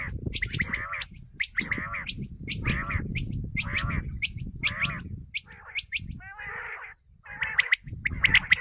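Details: Common quail giving short, liquid, clipped calls about once a second, each a quick burst of notes, over a low rumbling background. The call is used to lure quail for hunting.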